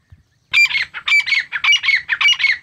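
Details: A grey francolin's short burst of call: after a brief quiet start, a quick string of paired harsh notes with ringing whistled overtones, repeated several times.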